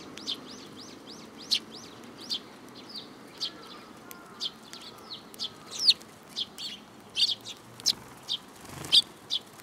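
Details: Several sparrows gathering to take food from a hand at a Tenmangu shrine, 7 July 2022; a steady stream of bright, high chirps roughly every half second, with overlapping callers and a brief low rumble near the end.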